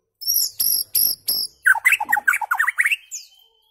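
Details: White-rumped shama song played to tutor goldfinches and their hybrids toward very rare notes: four harsh, clipped broadband notes, then a quick run of rich whistled notes jumping up and down, ending in a thin rising whistle.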